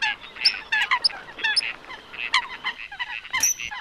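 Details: A noisy run of coot calls: quick nasal yelps and squawks crowd together, broken by sharp high piping notes. It ends in a short, piercing whistle-like click.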